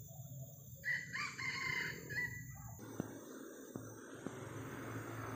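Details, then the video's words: Junglefowl calling from high in a riverside tree some distance away in forest. A rough, stacked crow lasts nearly two seconds, followed by quieter forest background with a few sharp clicks and a steady low hum. "Nah, di atas sana ya, itu suara ayam hutan."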